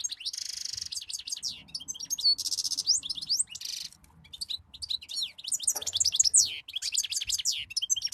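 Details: European goldfinch song, a lively tumbling stream of high twittering notes, quick sweeps and buzzy bursts that pause briefly near the midpoint before resuming; faint low background noise.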